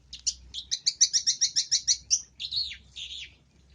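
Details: Long-tailed shrike singing full-isian gacor cendet masteran: a fast, even burst of about ten twittering chirps, then two slurred, warbling phrases that fade out.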